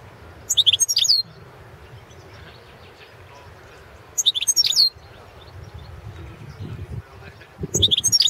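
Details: Goldfinch of subspecies carduelis balcanica recorded as a championship entry under Serbian competition rules: three brisk, high, twittering phrases spaced several seconds apart, each under a second long, with murmuring low noise and a soft thump between them.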